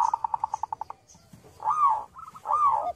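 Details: Local zebra dove with a small voice, lure song: a quick even trill of about ten pulses, a pause, then two broad swooping coos.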